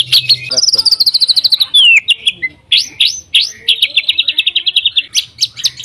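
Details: White-rumped shama kept in a cage, singing to provoke other shamas: a rapid trill of tight repeated notes, a long sweeping down-slurred whistle, then loud rising whistles and another fast even trill.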